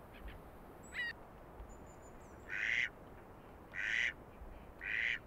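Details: Canada goose in spring on a March pond in Belarus, a rare vagrant there: after a faint chirp, three clear, nasal honks about one second apart, each rich in overtones.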